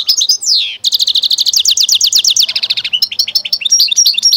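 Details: Singing goldfinch-canary mule: a descending slurred note, then a long run of rapid rhythmic chirps, a lower rolling passage, and bright high twittering phrases to finish, continuous and loud throughout.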